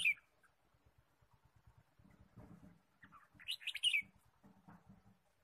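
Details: Red-whiskered bulbul chirping in wild forest during bird trapping, 23 March 2017: a sharp chirp opens, then a loud burst of rapid bright chirps, with regular low tapping and thumps underneath.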